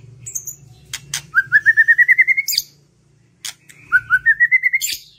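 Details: White-rumped shama singing as a lure to prompt other birds into song: a fast series of about ten rising whistled notes, a pause, then a similar accelerating rising series, with a few sharp high chips around them.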